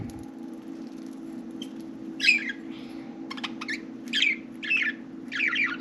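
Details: Budgerigars, four kept as pets, playing and talking inside and on top of their cage; scattered harsh chirps and short scratchy notes in small bursts, with a steady low indoor hum beneath.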